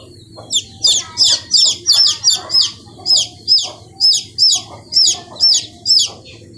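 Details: Chicken chicks peeping loudly, high arched chirps first rapid and bunched, then settling into a steady run of single notes roughly every third of a second, over a quiet low hum.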